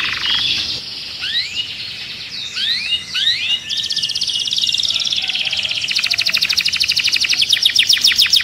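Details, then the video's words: Canary song used to stimulate other birds and for mating: rising whistled sweeps and varied chirps give way to a fast, high buzzy trill of rapid repeated notes in the second half. "تغريد الكناري لتنشيط الطيور Canto canario para activar pájaros"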